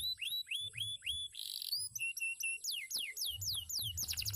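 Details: Song of a canary that used to compete: a row of rising-falling whistles, a brief buzzy burst, a steady piping run of level notes, then quick downward-swept whistles.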